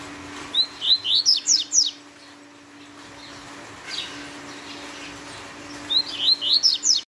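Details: Double-collared seedeater (Sporophila caerulescens) giving a fast tui-tui song: two quick bursts of about seven high, sweeping notes over a steady low hum.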